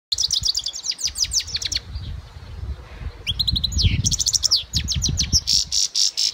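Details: European goldfinch singing: rapid runs of bright tinkling high notes and trills, a short break, then more twittering phrases ending in a buzzy rattle, with low background rumble.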